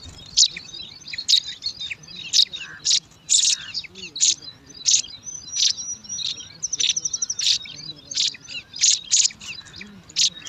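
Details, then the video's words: Bar-winged prinia nestlings, five chicks at a nest in alang-alang grass, fighting over food: loud, sharp high chirps in bursts about every half second, with one quick rattled series and soft lower squeaks between. "Lima Anakan Burung Ciblek Rebutan Makan"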